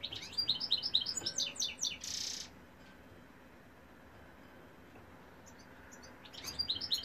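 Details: Male European goldfinch singing: a quick burst of high, tinkling twitters for about two seconds, then a long quiet pause before a few more bright chirps at the end.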